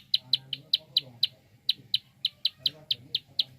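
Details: Fast clicking call of a prinia, meant to stimulate other birds to sing. Crisp high ticks arrive in quick, slightly uneven series, about four per second, with a faint low hum underneath.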